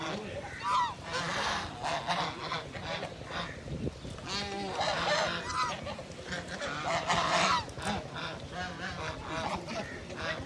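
A flock of domestic waterfowl calls almost without pause, with loud, nasal, overlapping honks and quacks rising and falling in bursts and faint voices underneath.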